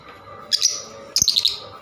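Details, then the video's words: Lovebirds giving two bursts of shrill, high chirps and squeaky notes, the second a quick run of four or five sharp calls, over a faint low hum. "love birds beautiful sound"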